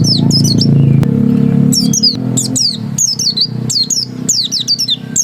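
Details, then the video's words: Dakun oriental white-eye in ngotot song: clusters of high, slurred descending whistles between pauses, partly over steady low-pitched mechanical noise and a single sharp click. "Suara Ngotot Pleci dakun"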